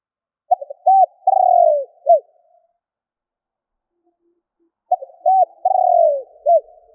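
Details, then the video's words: Spotted dove call used to provoke other doves. Two identical cooing phrases about four seconds apart, each made of short stuttering notes, an arched coo, a long rolling falling note and a final hoot. "Chim Cu gáy gọi kích bổi / Tiếng cu gáy kích bổi Hiệu quả"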